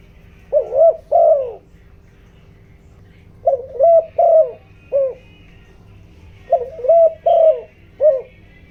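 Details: Spotted dove used as a decoy, cooing in the 'giọng đồng' voice to attract wild doves. An opening pair of mellow coos is followed by two phrases of three quick coos and a short final note, over a low hum.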